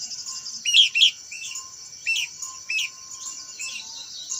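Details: Blue-winged minla singing: short, bright upslurred chirps, a close pair near the start, then single notes spaced about a second apart, over a steady high-pitched insect drone.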